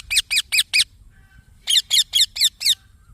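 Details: Green baby parrot giving two bursts of harsh, high chirps, four and then five notes, each a quick downward squeak, split by a short silent gap.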